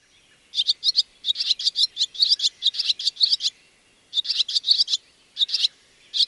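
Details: Barn swallow giving bright, high chirps in quick clusters of two to six notes, broken by short pauses, with a clean quiet background.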